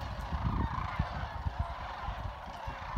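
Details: At Jasper Pulaski Fish and Wildlife Area a throng of sandhill cranes trills and chatters continuously, a dense rolling chorus, accompanied by strong low rumbling and bumping noises.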